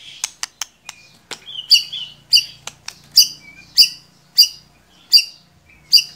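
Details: White-rumped shama in captivity repeating a sharp, harsh chak call about every 0.7 seconds after several clicks.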